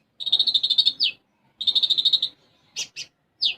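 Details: Olive-backed sunbird (konin) in lively gacor song with isian gereja sparrow fill. Two rapid pulsed buzzy trills, each ending in a downslurred note, then a few sharp separate chips.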